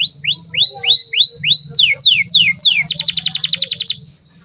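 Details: Singing canary, a lure for training young birds: a run of rising whistled swoops, then steeper sweeps, ending in a rapid dense trill, with a low hum beneath.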